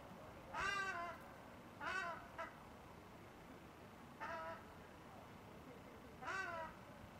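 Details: A female ruddy shelduck at Trnovski pristan, Ljubljana, on 28 January 2023 gives four nasal, honking calls about one to two seconds apart, each a short rising-falling bray, over steady background noise.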